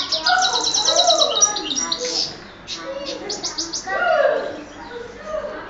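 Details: Hybrid of goldfinch and canary from Oued Souf opening with a loud fast trill, then scattered chirps and short trilled bursts, with a lower voice-like murmur in between.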